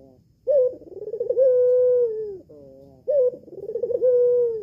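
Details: Red-eyed albino Barbary dove at a home aviary, its calls used as a lure for a male's answer. It gives two matching phrases: a quick bright note, a trembling roll and a long smooth coo, linked by a flat buzzy tone.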